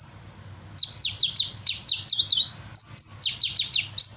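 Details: Caged sunbird in lively full song, mimicking various other birds: rapid series of sharp, high chirps and downward-slurred whistled notes, some buzzy, about three per second, with a brief thin whistle at the start and a low hum beneath.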